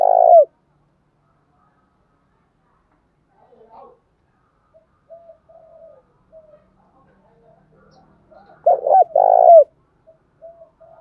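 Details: Spotted dove giving a Đồng Thổ style coo meant to stir a rival male: one clipped note opens, then after a long quiet stretch with faint soft murmurs, a full phrase of short notes and a longer rolling coo.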